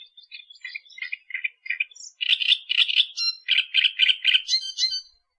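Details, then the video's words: Australian reed warbler: soft clicking notes lead into a loud, regular series of harsh churring phrases, each repeated several times at an even pace before a higher squeaky flourish ends the run. "Burung Kerak Basi Australia Suara Asli Kicauan Alam"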